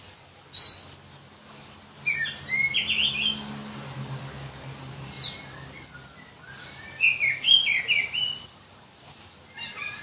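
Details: Oriental magpie-robin, black-breasted form from Berau, East Kalimantan, singing: scattered whistled phrases and sharp high notes at moderate volume, with a noticeable low droning hum and background hiss.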